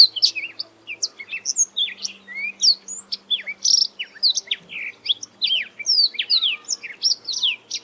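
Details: Black-throated Canary, a small African songbird, singing a rapid, varied run of high twittering chirps and short whistled slurs, some rising and some falling, with brief pauses throughout eight seconds; faint low hum underneath.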